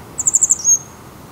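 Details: Grey wagtail in Salinas y Arenales de San Pedro del Pinatar Regional Park, Murcia, Spain, recorded on a Sony HDR-CX155E: a very high, quick trill of about five sharp notes runs into a thin, level whistle. The background is quiet.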